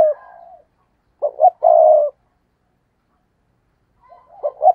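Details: A decoy spotted dove coos in the stuttering gù cà lăm manner to draw rivals: a fading soft coo, then stammered hoots and a long deep coo, a pause, and another stuttered start.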